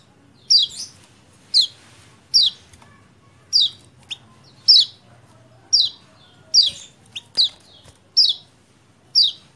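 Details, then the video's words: Lemon-bellied white-eye, 28/11/20, a recording meant to coax reluctant birds into song: a steady series of about a dozen crisp, high downward chirps, roughly one per second, with faint background hiss. "PANCINGAN CEPAT GACOR UNTUK KECIAL KUNING MACET"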